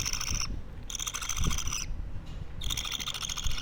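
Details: A two-week-old budgerigar chick gives three coarse, scratchy rasps of about one second each, with short pauses between them, over a low background hum.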